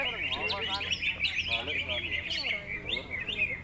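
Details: Contest-winning greater green leafbird delivering a busy, unbroken stream of high chirps, trills and fast slurred whistles, with a steady low hum behind.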